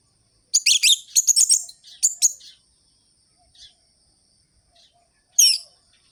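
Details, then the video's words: Orange-headed thrush singing, used to rouse other birds: a dense burst of high, harsh chattering notes for two seconds, then brief scattered notes and one final sharp phrase after silence. "ANIS MERAH GACOR ABIS untuk pancingan bunyi burung anis merah yang loyo"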